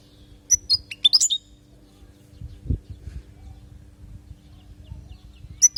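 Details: European goldfinch from Palestine, recorded as a training song for teaching young goldfinches; a burst of bright, high twittering notes near the start, then a quiet pause before a short chirp at the end, with low background rumble.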